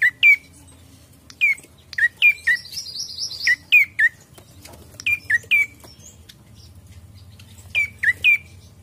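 Ashy prinia giving sharp, high chirps that flick upward, in quick bursts of two to four, with one brief buzzy trill over a faint low hum.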